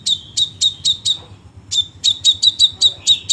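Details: Crimson sunbird singing in tight, rapid bursts: thin, piercing chip notes in a quick series, a half-second pause, then a faster run of the same bright chirps.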